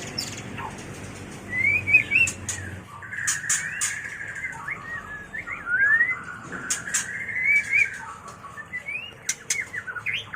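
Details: White-rumped shama mating song, used for training and luring birds: clear whistled phrases around the mid range, some rising and slurred, broken by sharp high clicks and chips, with varied notes rapidly strung together.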